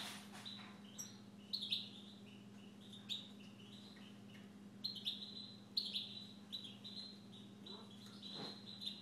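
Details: Siberian goldfinch kept at home: repeated phrases of high whistled notes alternating between two pitches, punctuated every second or two by sharp clicks and chirps, over a continuous low hum.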